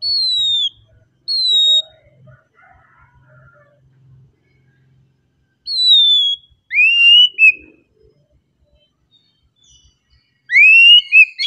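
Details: Oriental magpie-robin singing calmly: loud falling whistled notes repeated with pauses, then rising slurred whistles and short upswept notes near the end, over near silence.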